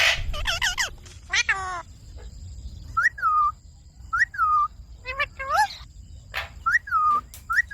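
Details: A talking pet Indian ringneck parakeet gives a few chattering, buzzy phrases, then repeats clear whistled notes that rise sharply and drop, roughly every second, between quiet gaps.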